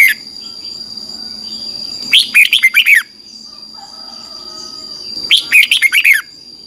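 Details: Red-whiskered bulbul singing a morning song meant for training a wild-caught bird: two cheerful, slurred phrases roughly three seconds apart, each lasting about a second, over a steady high whine and faint low hum.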